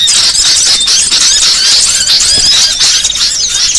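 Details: Small-bird trapping lure meant to attract species like cit merah and mantenan jati: crowded high twittering, bright rising and falling whistles, and bursts of squeaky chatter running without a break.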